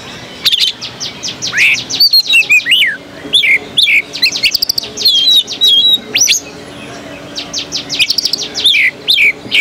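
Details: Caged Oriental magpie-robin singing at the Jakarta Cup 2015 bird-singing contest in Jakarta, Indonesia: loud, varied phrases of clear whistles, sharp rising and falling slurs and quick chirps, broken by short pauses, with a faint steady hum behind.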